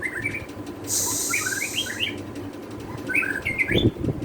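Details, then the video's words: White-rumped shama tutor recording: short, rich whistled phrases rising and falling, one burst near the start and another toward the end, over steady low rumble, with a loud hissing noise burst partway through. "Masteran Burung muari Batu"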